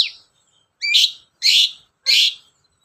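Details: Long-tailed shrike giving harsh, raspy notes as a singing lure: a thin opening squeak, then three loud scratchy calls of equal length spaced about half a second apart.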